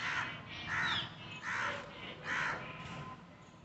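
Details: Parrots in the trees, giving four loud, harsh, raspy squawks spaced roughly every three-quarters of a second, each a short broad burst, over a soft steady background hiss.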